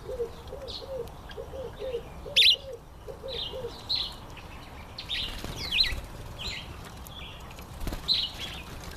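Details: Red-collared widowbird during the breeding season, giving scratchy high notes in clusters, a few per second, while a dove-like bird coos low and rhythmically through the first half.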